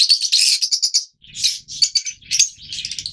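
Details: Rapid, buzzy high chatter from yellow Fischer's lovebirds, a long run of shrill notes followed by shorter squeaky bursts after a brief pause.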